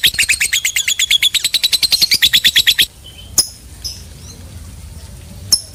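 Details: Lovebird in long ngekek chatter: fast series of harsh high chirps for about three seconds, then stopping, followed by a few isolated sharp chips and quiet background.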